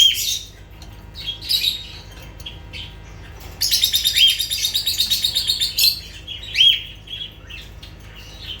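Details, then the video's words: High lovebird chirps open the recording. They give way to a sustained, rapid buzzy chatter lasting about two seconds, then scattered shrill squeaks. "Sounds of lovebirds"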